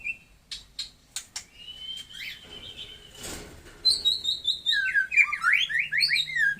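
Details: Taiwan-type white-rumped shama giving a few sharp clicks and a long thin whistle, a noisy rustle, then a burst of high, rapidly swooping whistled notes toward the end.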